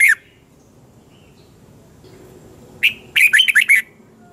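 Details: Red-whiskered bulbul singing a morning training song in the double-twist voice style, used as a lure song to train other birds: a brief burst at the start, a lull, then one quick warbled phrase of several rolling notes.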